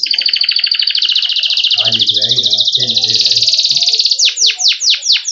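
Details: Canary singing a long, fast, rolling trill that runs for about four seconds, then a few loud downward-swooping notes. A low purring rattle sounds faintly in the middle.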